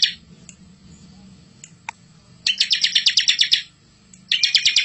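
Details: Bar-winged prinia master song for luring young prinias: after a quiet start with faint background noise, a long rapid buzzy trill and the onset of another, full and rolling in style.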